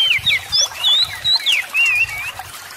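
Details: Oriental magpie-robin song for prompting idle birds to sing: short bursts of clear whistled slurs, twisting up and down, in quick phrases with small gaps, over faint low rumble.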